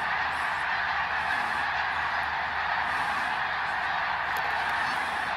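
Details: Greater snow geese migrating over Ottawa, Canada, in fall 2021, hundreds of thousands flying overhead: a dense, unbroken wash of many overlapping honking calls that blend into a steady roar, with no single voice standing out.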